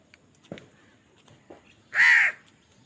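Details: Crow calling loudly while birds fight over food: a single strong harsh caw lasting about a third of a second, preceded by a few soft clicks and taps.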